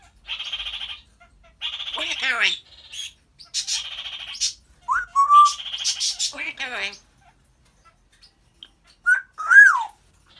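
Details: Pet African grey parrot talking: several buzzy, voice-like phrases with pauses between them, then a short rising whistle and, after a silence, a loud upward-sliding whistle.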